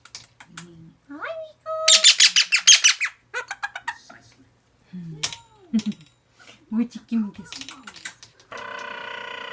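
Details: Seven-month-old male green pied Indian ringneck parrot, a hand-tamed pet kept indoors, playing and making cute squeaky noises: scattered short squeaks and chirps, then a rapid burst of harsh repeated notes, followed by a steady buzzing sound at the end.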